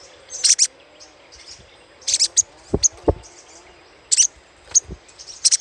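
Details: Little spiderhunter chatter played as a lure: short, dense bursts of very high chips repeated about every second or two, separated by quiet gaps, with a few low knocks.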